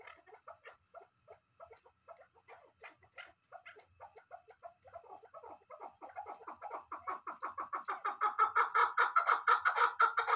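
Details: Chukar partridge calling indoors: a run of short clucking notes, sparse and soft at first, then quickening and swelling into a loud, rapid, rhythmic chatter of about two notes per second.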